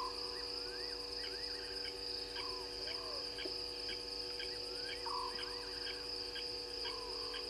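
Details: Scops owl calling at night, just after midnight on 04/06/20, at the Gowrie dam waterhole on Djuma Game Reserve, Sabi Sand Wildtuin, South Africa. Short purring trills repeat every one to three seconds beneath dense insect chirping and wavering whistles from other callers.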